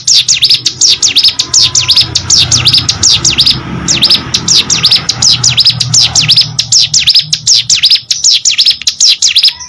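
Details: Hill prinia kept as a pet bird, singing persistently: a long series of sharp, high, falling-then-rising notes, fast and almost continuous, with a faint low hum beneath.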